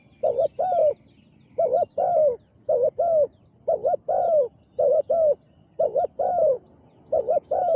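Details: Big-voiced spotted dove, a caged decoy bird set out to draw in a wild dove, repeats low cooing phrases steadily, each a clipped double hoot then a longer downward coo, about seven phrases.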